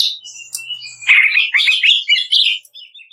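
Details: Greater green leafbird master song in 'kretekan' style, meant to train birds: soft high whistles open, then a loud, busy stream of chattering trills and quick rising and falling whistled notes.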